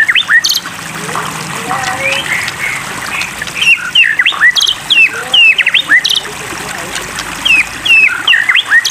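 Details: White-rumped shama voice over flowing water for a singing-encouragement session: scattered whistles giving way to a fast series of sharp, hooked, upward-sweeping notes, about two per second, mixed with high buzzy bursts.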